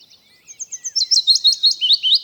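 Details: Willow warbler, a spring migrant back in the UK countryside in April, sings a soft, sweet phrase of about a dozen quick notes that swell in volume and tumble gently downward in pitch; nothing else is heard.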